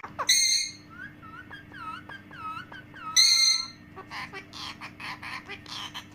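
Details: Parrot vocalising nonstop: two loud, harsh, harmonic squawks frame a series of repeated wavering whistled notes, followed by rapid breathy, speech-like chattering syllables over a steady low hum.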